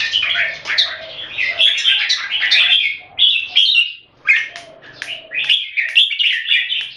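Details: Red-whiskered bulbuls caged in Singapore clash in a singing contest between two birds, with loud, crowded bursts of chattering, warbled song, a short lull, then renewed rapid phrases over faint low background sound.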